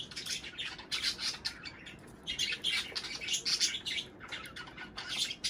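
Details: Budgerigars, played to encourage pairing and egg-laying, in a continuous busy warble of quick high chirps and squawky notes, several birds overlapping with hardly a pause, over a faint steady background hiss.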